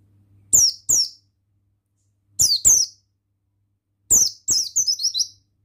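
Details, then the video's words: Oriental white-eye, male buxtoni form, in energetic singing: paired high, falling chirps repeated about every two seconds, ending in a faster run of five or six quick sliding notes, over a faint low hum. "Bustomi Sembur Gacor Suara Ampuh Pemasteran Burung Pleci Bustomi Ngalas Ikutan Bunyi"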